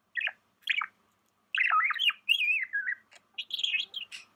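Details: Pet budgie giving a few sharp chirps followed by a longer, wavering warble that rises and falls, then bright scratchy twitters at the end, in an otherwise quiet room.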